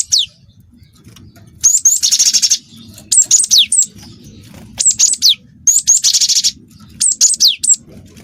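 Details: Song of a cinereous tit loaded with canary-style material: sharp high downslurred whistles alternate with dense buzzy trills, in four loud phrases over about eight seconds, with a soft low rumble in the background.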